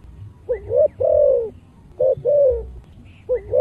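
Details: Spotted dove singing in the 'thổ' voice style, played to stir other doves. A quick rising upslurred note leads into a sustained low coo, and the pattern repeats twice over soft low rumble.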